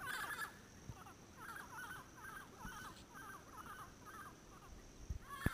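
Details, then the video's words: A pair of endangered Yellow-headed Parrots calls noisily from Caribbean pines at sunset near a ranger station in Payne's Creek National Park, Belize, in late January 2012. Harsh raspy squawks come about two per second over a low rumble before the birds fly off. "The call of the Yellow-headed Parrot"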